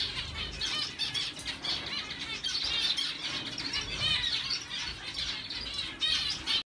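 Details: Normal gray Zebra finch stud cock (male) giving a busy stream of nasal, buzzy notes and quick chirps, with wing flutters.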